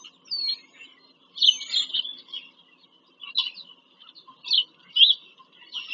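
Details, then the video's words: Bald eagles at a nest in Pennsylvania farm country, filmed by a live nest camera on 5 February 2023 during a nest visit. Several bursts of high, squeaky chittering come in uneven clusters, with quiet gaps between bursts. "bieliki - wizyta w gnieździe"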